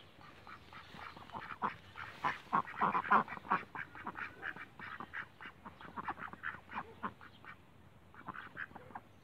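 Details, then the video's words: Cayuga ducks kept in a backyard, giving loud, rapid, harsh quacks in dense overlapping bursts, several per second, swelling in the middle and fading toward the end. "CAYUGA DUCKS BACKYARDS"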